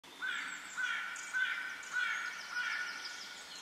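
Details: Tawny owl in Forêt de Soignes, Belgium, April 2021, giving five harsh, hoarse, mid-pitched calls, one about every half second, over a faint background hiss.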